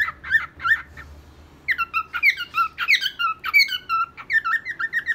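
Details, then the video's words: A pet cockatiel sings a quick run of bright, warbling whistles with sliding, looping notes, several per second after a brief pause, in a quiet indoor room. "Calopsita cantando ! cockatiel singing, beautiful bird! オカメインコの歌"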